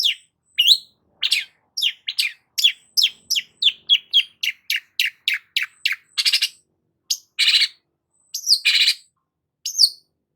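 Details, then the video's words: Long-tailed shrike singing vigorously for ten seconds: steady series of sharp chirped notes about three per second, broken by a few longer rasping buzzes and squeaky whistles. "BURUNG CENDET GACOR"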